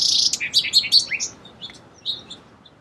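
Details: Song sparrow singing a fast, jumbled string of high chirps and slurred notes, a buzzy start, then sparser notes trailing off more quietly.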